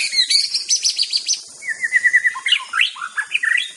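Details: Aceh white-rumped shama master song: rapid high trilled notes, then a run of clear repeated whistles and varied swooping phrases, over a steady high hiss.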